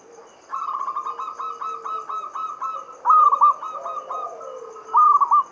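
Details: Local Javanese zebra dove song in the Mataram-style rhythm, played as a lure to prompt other doves to sing: stuttering runs of clear, mid-pitched cooing notes, several phrases overlapping, with fainter lower coos beneath.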